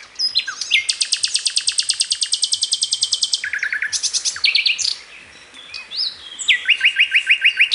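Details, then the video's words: A bird sings a long, fast trill of high, even notes, then short buzzy phrases, and ends with another quick run of bright, rising notes. "Trino de pájaro cantando"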